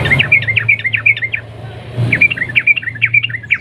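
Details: Yellow-vented bulbul giving 'ropel panjang' lure song with 'nguklik' clicks to set other bulbuls singing; two rhythmic runs of sharp, down-slurred chirping notes, about eight each, with a short gap between and low hum beneath.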